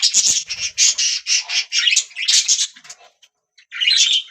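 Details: Budgerigar chirping as a rhythmic series of bright, buzzy pulsed notes about every quarter second, a short pause, then a final scratchy burst.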